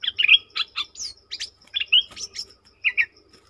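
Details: Streak-eared bulbul recorded 20 March 2022 singing a lively, continuous stream of varied chirps and short slurred whistles, roughly a dozen notes in under four seconds, with faint ticking beneath.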